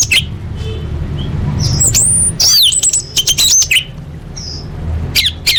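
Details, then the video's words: Orange-headed thrush song used as a lure to get caged birds singing: high, sharp whistled and rapidly slurred phrases in short bursts, separated by pauses, over a steady low hum. "Pancingan Anis Merah Paling Efektif: Meningkatkan Gacor & Kualitas Suara Burung!"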